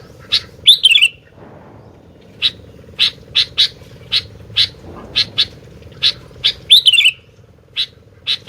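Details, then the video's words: Sooty-headed bulbul giving spaced sharp chip notes about every half second, broken by two slurred falling warbles, over a low droning hum. "TAK Bisa DIAM,,,,Burung Gentilang Gacor DOOOR...!!!"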